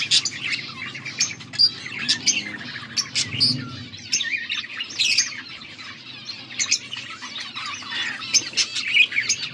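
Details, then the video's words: Several budgerigars, recorded August 14, 2024, keep up steady high twittering: short sharp chirps and scratchy warbled notes pile over one another in rapid succession, with a low murmur in the background. "Budgies sounds for lonely birds birds chirping sounds"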